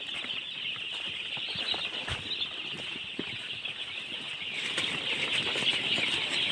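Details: Many baby chickens peeping together, a continuous shrill mass of quick chirps that grows slightly louder toward the end, with light scratching and rustle in the background.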